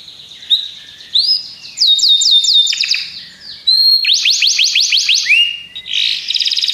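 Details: Song of Belgian canaries: varied phrases of quick upward-sweeping whistles repeated in rapid series, separated by short pauses, ending in a buzzy fast trill. The recording is clean, with almost no background noise.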